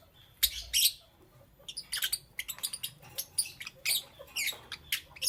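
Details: Green, yellow and lutino lovebirds chirping in the morning, a run of quick high scratchy chips and short squeaky notes in an irregular stream, some louder double bursts near the start.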